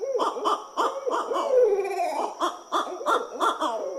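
Barred Owls in a raucous, overlapping chorus of throaty hoots and cackling, monkey-like calls, several notes a second, rising and falling in excited bursts.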